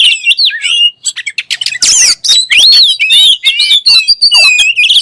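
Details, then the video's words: Singing oriental magpie-robin, called kacer: mixed whistles, harsh rasping bursts and wavering high notes, delivered energetically with short breaks between phrases. "THE KACER BIRD IMMEDIATELY WORKS AFTER HEARING THIS VOICE"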